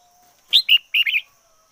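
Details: Red-whiskered bulbul, a decoy bird, singing a short bright phrase of three to four loud whistled notes sliding between high and mid pitch, clear against a quiet background.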